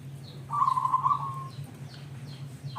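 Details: Local zebra dove used to coax others to sing: a single quick rippling coo phrase trailing into a steady tone, then the start of another, with faint high chirping and a low hum.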